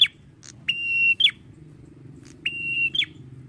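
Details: Drawn-out song from a male red-headed prinia: a falling note, then two long even whistles, each ending in a sharp downward slur, with short clicks between and a low steady hum.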